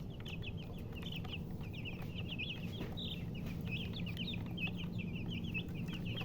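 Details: A busy chorus of baby chicks, rapid high-pitched peeps tumbling over one another almost without pause, over a constant low hum.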